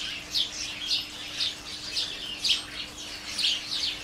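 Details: Garden house sparrows, a colony spread through holly and flowering currant, recorded from the kitchen doorway: quick clusters of shrill tweets, roughly one a second, uneven spacing, over a low steady hum.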